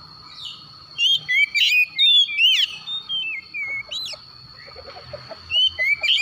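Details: Morning calling of an Oriental magpie-robin, loud clear whistles swooping up and down in quick succession, a pause, then renewed sharp whistled notes over a low steady hum.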